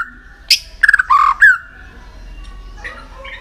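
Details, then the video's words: White-rumped shama song used for voice training to push a shama into contest singing: a brief burst of clear whistled notes, a steady mid whistle, then sharp slurred phrases and a bright rising whistle, fading to soft notes. "luyện giọng chòe lửa hót kích chòe lửa nhanh căng lửa"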